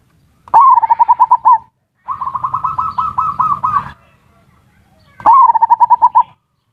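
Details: Lure call of zebra doves, ngerot and kuwor styles, aimed at stimulating breeding urge and making lazy birds sing; repeated rapid trilled coo series with rising starts, a second rougher cooing dove overlapping in the middle.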